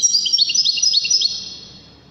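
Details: From Morocco, a wedani European goldfinch gives a quick, sparkling run of high twittered notes, which then trails off quietly.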